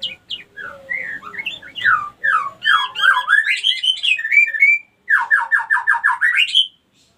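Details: Female white-rumped shama song used as a lure to make other females ready to breed; rich sequence of swooping whistles building into dense warbling, a brief gap, then a rapid buzzy trill of repeated notes.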